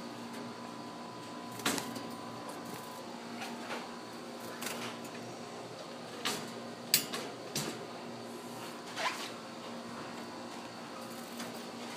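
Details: Scattered knocks and clicks sound over a steady indoor hiss, with no animal voice.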